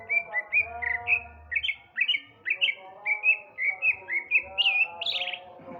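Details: Male Sumatran greater green leafbird singing in the afternoon: a lively run of loud, clear whistled notes, each sliding or flicking upward, delivered in quick rhythmic bursts about every third of a second, with faint lower tones beneath.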